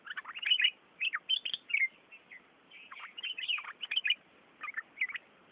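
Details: Village birds in Devgad chirping while taking a bath: quick high tweets and short slurred notes in dense clusters, then sparser chirps toward the end.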